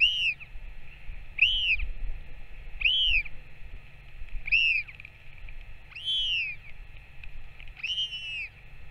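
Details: Northern royal albatross parent feeding its chick, 21 May 2024: a steady series of six clear arched, wailing calls, roughly one every one and a half seconds, over light wind and steady hiss.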